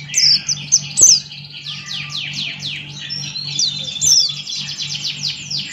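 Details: A male Buxton's white-eye sings energetically: sharp high squeaky notes open, then a string of evenly spaced descending slurred chirps and a twittering, accelerating run. A faint low hum and one brief knock are audible.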